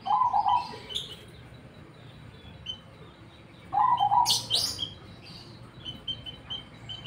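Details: Black Cemani zebra dove in full song gives two short rolling coo phrases about four seconds apart, while bright high chirps and twitters from other small birds fill the gaps.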